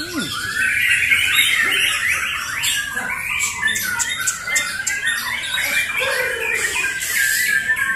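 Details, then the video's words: White-rumped shama (murai batu), a kept competition bird, in a singing contest showing off its learned fills (bongkar isian) and rapid shot-like bursts (adu tembakan): dense, fast run of whistled and chattering notes, steady and varied, with a brief voice at the start. "SERUNYA PERTARUNGAN BURUNG MURAI BONGKAR ISIAN, ADU TEMBAKAN"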